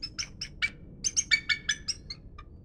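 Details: Bald eagles on a morning walk: one gives a rapid, high chittering series of about a dozen thin, piping notes, trailing off into a few weaker, lower notes at the end.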